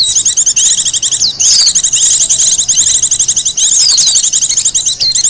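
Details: Continuous high, rapid chattering song of a wild Japanese white-eye, suited to luring and song training, with trilled notes and occasional sharp downward whistles running almost without pause.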